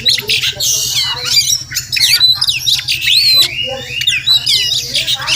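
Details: Wild Oriental magpie-robin near a house, possibly with a nest close by; long looping whistles and sharp squawks, some notes sliding up and down, above a steady low pulsing hum.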